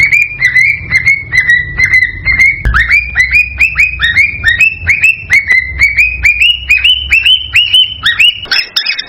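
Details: Cockatiel breeding-stimulation song: steady series of short whistled notes, each a quick upward slur, repeated about twice a second and climbing slightly in pitch toward the end.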